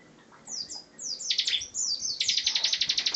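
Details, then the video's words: Bar-winged prinia singing 'gacor ngebren': a series of very high descending slurred whistles leading straight into a fast, regular buzzy trill. "Ciblek Gacor Ngebren"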